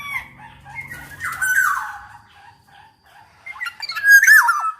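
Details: Lively golden black-naped oriole singing as a lure for other orioles: a drawn-out slurred whistle followed after a pause by a loud harsh squawking phrase, faint low hum early on.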